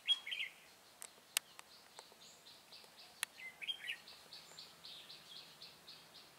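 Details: Red-whiskered bulbul used as a decoy while trapping wild bulbuls, recorded 24 September 2018: short bright warbled phrases at the start and near four seconds, then a run of soft repeated buzzy notes, with faint clicks and quiet outdoor background.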